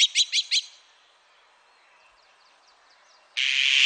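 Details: Azure-winged magpie giving four quick, bright, clipped notes, then a quiet pause with faint distant chirps, ending in a loud, harsh, hissing rasp.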